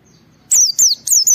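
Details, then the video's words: A singing white-eye in ngalas style, played to draw other white-eyes into song, gives four rapid, piercing, downward-sweeping whistles in just under a second, following a short quiet lead-in with low murmur. "Suara Burung Pleci Gacor membuat Semua Pleci langsung ngalas Bongkar Isian"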